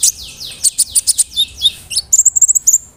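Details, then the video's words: Big-bodied brown-throated sunbird singing loudly as a provocation lure: descending high sweeps and chips, then a quick string of about eight crisp high notes. "PANCINGAN KONIN GACOR BODY BIG SUARA NYES BIKIN KONIN LAIN TAMBAH EMOSI"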